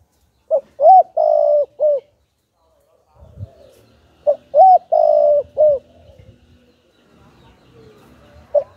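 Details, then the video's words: Decoy spotted dove's full song used to provoke wild doves: two phrases, each two short notes, a long coo and a clipped closing note, about four seconds apart, with faint rustles between. "Chim Cu Gáy Kích Bổi Đủ Bài - Kích Là Gáy 100%"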